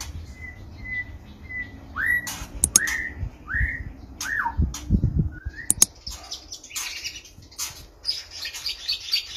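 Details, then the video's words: Captive male white-rumped shama courting a female in a small stacked breeding cage: a few even whistles, then repeated upward-swooping notes, followed by sharp clicks and scratchy high chatter. "Murai Jantan Ngrayu Kawin"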